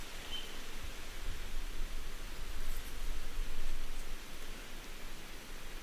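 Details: Steady broadband rustling noise, swelling and fading, with no clear animal voice.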